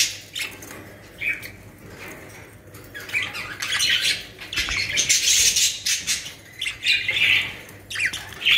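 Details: Caged budgerigars in a Pakistani home collection chatter with raspy squawks and whistled chirps, building to a dense loud burst midway, with occasional wing flapping.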